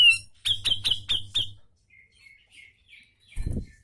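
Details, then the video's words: Grey-cheeked bulbul (cucak jenggot) on a tutor recording for training cage birds: five loud, sharp, clipped notes in quick succession, then softer scratchy warbling and a low thump at the end. "Masteran Cucak Jenggot Gacorr Mbeset Ngepik Tajam"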